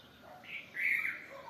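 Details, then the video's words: A bulbul gives a brief, bright phrase of two or three liquid, slurred whistled notes, with softer lower notes around it. "Tlaiberh (bulbul) rah tlān"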